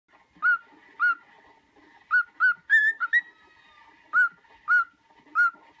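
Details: Pet cockatiel whistling the tune of "Another One Bites the Dust": clear whistled notes in a rhythmic pattern, short repeated phrases with a few higher sliding notes, quiet background.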